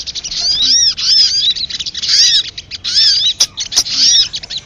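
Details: Crimson sunbird (sogok ontong) lure call for drawing birds to sing: continuous loud, high twittering with sweeping chirps, a few sharp clicks toward the end.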